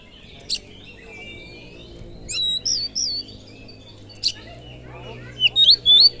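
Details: Oriental magpie-robin (kacer) lure song used to provoke other birds into heated singing: brief sharp bursts, a cluster of looping whistled notes in the middle, then bright rising whistles at the end over a faint low hum.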